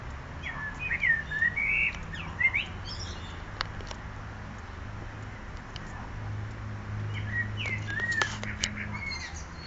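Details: Unidentified bird whose songs start alike but finish with multiple tones and tunes; two bursts of looping, warbled whistles, one early and one late, over a steady low hum and faint clicks.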